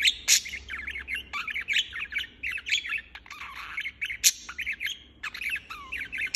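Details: Non-stop budgerigar chirping, a busy stream of quick warbling chirps broken by several sharp, harsh squawks and a low curved whistle.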